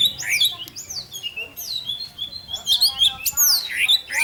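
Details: Orange-headed thrush singing 'teler' style to tease other thrushes into song; loud, sweeping whistled slurs and scratchy squawk-like notes, several sharp descending phrases in quick succession.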